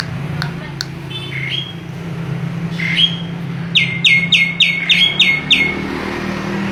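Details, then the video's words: Starling (jalak) giving a few soft rising whistles, then a fast, regular string of about eight down-slurred whistled notes, with a steady low droning hum behind. "Burung Jalak"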